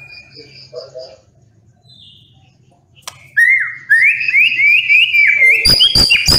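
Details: White-rumped shama singing a rapid run of rising whistled slurs in the second half, preceded by faint scattered notes; a low hum runs beneath and a few sharp clicks sound near the end.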